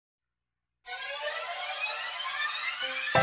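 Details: Silence, then rich layered harmonic music starting abruptly and holding steady, ending in a sharp burst, with no animal calls.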